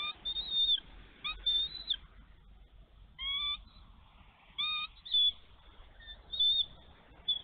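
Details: Nesting female bald eagle in Minnesota, snowy March day in 2023, guarding her egg against an intruding young eagle. Shrill, piping chirps come in clusters separated by pauses of one to two seconds over low wind noise.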